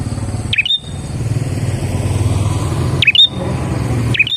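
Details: Prinia song played to attract and trap other prinias: three quick high chirped bursts, each a downslurred note and a short whistle, spaced roughly two and a half seconds apart against rumbling vehicle noise.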